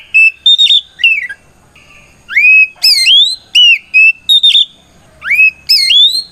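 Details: An oriental magpie-robin gives a loud fighting song that calls out rivals to provoke them into answering. It is made of sharp, rising whistled swoops and short flat notes in quick bursts, separated by brief silences.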